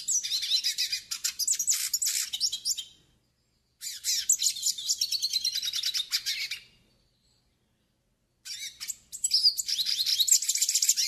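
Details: Yellow-faced siskin singing in three long bursts of dense, rapid high twittering and buzzy trills, separated by silences of about one and one-and-a-half seconds; song used for tutoring and warming up birds.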